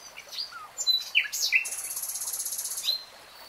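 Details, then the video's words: Common nightingale singing a varied phrase: scattered slurred whistles and sharp downward flicks, then a rapid buzzy high trill lasting over a second, closed by a final thin note. "NIGHTINGALE SONG 3 Hours REALTIME Nightingale Singing"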